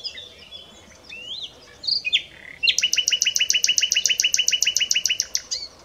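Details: Common nightingale (Luscinia megarhynchos) singing a few slurred whistles, then a long, rapid, steady series of about twenty-five identical repeated notes, over light background hiss.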